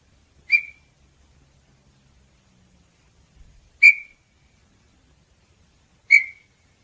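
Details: Three clear, clipped whistles from a small-billed tinamou, spaced unevenly two to three seconds apart, each note short and piercing with a slight trailing fade; faint low rumble underneath.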